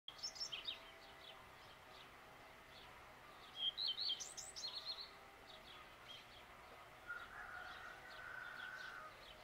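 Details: At dawn, a common redstart sings two short, high phrases a few seconds apart, each a quick tumbling twitter, with faint distant birdsong and a soft lower hum behind.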